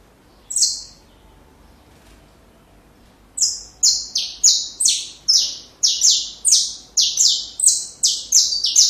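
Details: A saffron finch sings for training young birds: one high buzzy note, nearly three seconds of quiet, then a quick, lively series of about fifteen downward-slurred buzzy notes.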